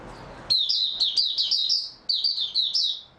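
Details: An oriental white-eye on 3 March 2022 bursts into a continuous high, tinkling warble of rapidly repeated slurred notes, pausing once briefly before resuming the same bright chattering phrase.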